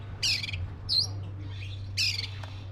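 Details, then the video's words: Oriental magpie-robin of the black-breasted form giving two loud harsh, scratchy notes about 1.7 seconds apart, with a thin high whistle between them, over a low steady hum. "SUARA BURUNG KACER (DADA HITAM)"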